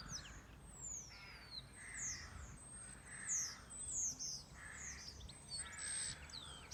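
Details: Birdsong on a farm: thin, high whistled notes sliding downward, repeated every second or so, with softer warbled phrases lower down and a quiet rural background.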